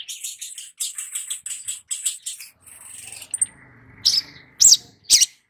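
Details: Long-billed spiderhunter lure song for young birds: a quick series of high, buzzy repeated notes about twice a second, then a soft noisy gap and three sharp, piercing chirps.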